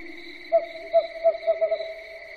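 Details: Owl calling at night: a run of short, clipped mid-pitched notes that speed up toward the end, over a steady high-pitched background drone.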